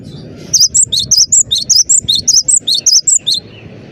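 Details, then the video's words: Cinereous tit singing vigorously: a rapid series of high, sharp two-note whistled phrases, alternating higher and lower notes, about eleven notes in quick regular succession, with faint low background hum. "burung gelatik batu gacor dor"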